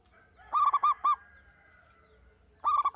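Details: Local zebra dove, a single bird meant to coax others into song, a run of five rapid hooting notes, then a fresh burst beginning after a gap, over a faint steady tone.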